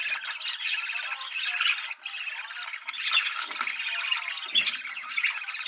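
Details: Budgerigar mating call for stimulating breeding: continuous, rasping warble of chirrups and squawks, loud and unbroken apart from a short dip at two seconds.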